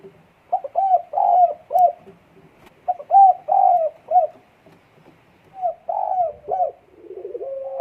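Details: Spotted dove in breeding condition, 12 December 2022, repeating three throaty four-note coo phrases, the second note drawn out; a different rising, wavering tone enters in the last second.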